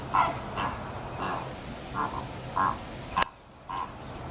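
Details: Greater flamingos on the move to their winter enclosure utter short nasal honks at irregular half-second intervals, with a sharp click or knock partway through.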